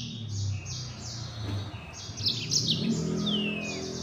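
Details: Yellow-fronted canary in rapid 'gacor nembak' full-speed song: high chirped trills and a falling whistled slur over a steady low rumble, likely traffic, throughout.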